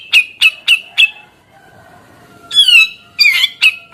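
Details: Grey-cheeked bulbul in full song, opening with four evenly spaced sharp chips, a short lull with a faint thin tone, then a harsh slurred downward note followed by rapid rasping chips.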